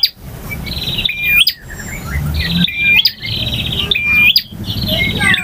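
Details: Male bar-winged prinia singing in a full-variation style described as ngotot, ngalun, variasi and kristal: a steady whistled note with a sharp upward flick, followed by a buzzy trilled phrase, repeated about every 1.5 seconds over a low rumbling hum.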